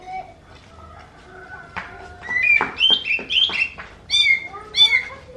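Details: Oriental magpie-robin whose song is said to resemble a kitten meowing: quiet, drawn-out notes at first, then loud, slurred, mewing whistles that rise and fall, with short bursts in a broken rhythm during the second half.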